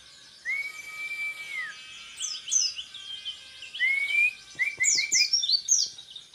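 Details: Orange-headed thrush, a hopeful contest champion, in 'tembakan repet' style: a long level whistle, a pause, a rising whistle, then a few short chips leading into quick high slurred notes.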